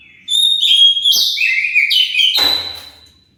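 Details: Oriental magpie-robin lure song meant to make other magpie-robins answer; loud, varied whistled phrases sliding between high and middle pitch, a long sustained note, then a harsh rasping burst fading out.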